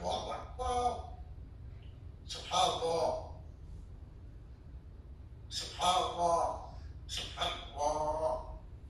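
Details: A pet parrot repeats the spoken phrase "Subhan Allah" about four times, in a raspy, voice-like tone with brief pauses between, over a low room hum.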